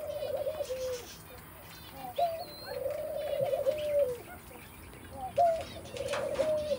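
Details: A three-month-old red golden pheasant gives low, drawn-out whistled notes that sag at the end, several in a row, with faint higher chirps from small birds behind.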